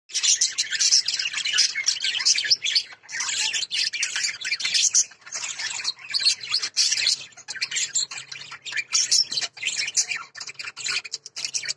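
Lovebirds keep up a dense, high-pitched chatter of shrill chirps and squeaky tweets, several birds calling over one another almost without pause.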